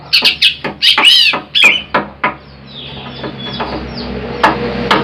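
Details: Greater green leafbird, a large jumbo individual used for luring birds, uttering a brief cluster of loud chattering whistles and a squeaky note in the first two seconds, then fading to faint background.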